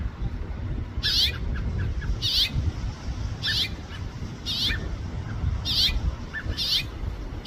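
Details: Series of about seven crisp, clipped chirps by a house finch, evenly spaced about a second apart, against a persistent low background hum.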